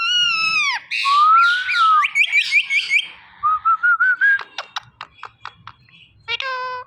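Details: Talking rose-ringed parakeet kept as a pet: a falling cry, a long wavering whistle, a quick set of chirps, then about nine sharp clicks and a final harsh note.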